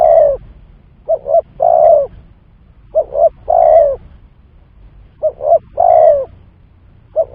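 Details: Spotted dove calls used as a trapping lure, repeated about every two and a half seconds: paired short coos then a sustained, slightly falling coo.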